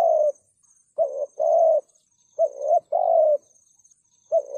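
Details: Spotted dove giving a thúc gù coo, a style used to provoke wild birds. Two-part phrases are loud and clear: a short rising note, then a longer sustained one, repeated about every 1.5 seconds. A faint steady high whine runs beneath.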